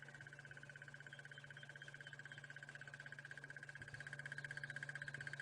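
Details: Crested Barbet in southern African savanna bush at sunrise, 30 September 2016, gives a long, even, rapid trill like a ringing alarm clock, rising slightly in volume, over a steady low safari-vehicle engine hum.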